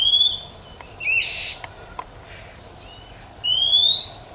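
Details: Female Oriental magpie-robin from the wild calling to stimulate males: a thin rising whistle, a short harsh rasp, a pause, then a longer upward-gliding whistle.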